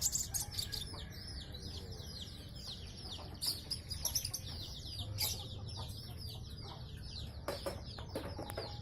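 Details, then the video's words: Kept brown-breasted sunbird, a thumb-sized bird fed honey, ant larvae and caterpillars, singing energetically with a full repertoire: dense runs of thin, high, downward-sweeping chirps repeated rapidly, over a steady low hum and a few sharp clicks. "KICAU GACOR COLIBRI NINJA DADA COKLAT NGOBRA fULL ISIAN"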